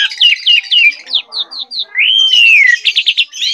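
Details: Asian pied starling, locally jalak suren, in full gacor song: quick descending chirps in rapid series, then a long smooth falling whistle and a burst of fast repeated notes.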